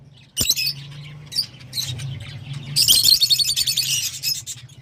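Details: High, rasping lovebird calls: a few sharp chirps early, then a long, dense run of rapid, shrill squawking notes over a low background hum.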